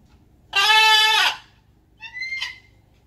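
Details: Blue-and-gold macaw kept as a pet, outside in the morning alongside a red-tailed black cockatoo: one long, loud, harsh squawk lasting under a second, then a shorter, higher, thinner call.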